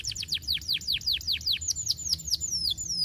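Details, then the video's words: Canary song from a master recording for training, sung energetically: a rapid series of sharp, high down-slurred whistles repeated about two or three times a second, slowing into longer falling sweeps at the end. "Masteran Kenari Gacor"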